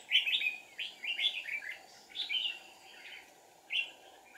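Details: Bulbul recorded while trapping in deep forest, 1 April 2019, where a fierce wild red-whiskered bulbul challenges a decoy: quick runs of three or four slurred, whistled notes, then pauses and a lone final phrase, over a constant hum.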